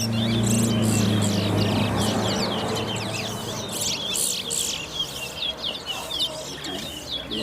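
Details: Caged Brown Towa Towa singing in a bird race at Sheriff Street bird ground, two birds matched head to head: quick, sharp chirps and twittering notes repeated rapidly and steadily, over a low hum at the start, with background noise.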